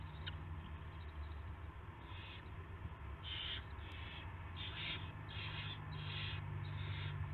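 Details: Owl at its nest at 5:20 AM on March 9, 2016, as a rat is brought to the nest; a series of about six harsh, hissing bursts repeat roughly once a second over a steady low hum.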